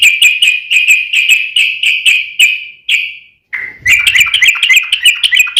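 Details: Yellow-vented bulbul fighting song, meant to make other bulbuls answer: fast, even series of sharp, high chirps, a brief break, then quick bubbly chatter of varied notes.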